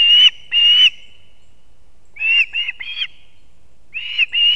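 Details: Osprey nest in Kurzeme, Latvia, 6:40 am, 3 September 2024, with the male bringing two fish to its chicks: a few long, clear piping whistles, spaced apart, then a short cluster of chirps.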